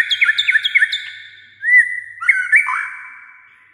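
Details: White-rumped shama singing much of the day in many voices: a run of three quick repeated hooked whistles, then a clear slurred whistle and rich bending phrases fading out.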